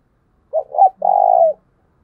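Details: Spotted dove giving a thúc bổi call, used to rouse decoy doves to coo quickly: a short low note, a rising swell, then a long steady burry coo, all at mid pitch, with faint low hum underneath.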